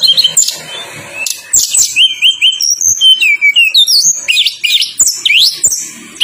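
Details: Tledekan gunung song, played to draw out birds that are reluctant to sing, in tight rolling style. A mix of wavering whistles, falling slurred notes and sharp rising chirps in quick succession.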